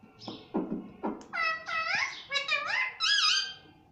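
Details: Talking pet ringneck parrot, said to say "mummy": three low, breathy, voice-like pulses followed by a flowing string of nasal, wavering harmonic syllables imitating speech, indoors.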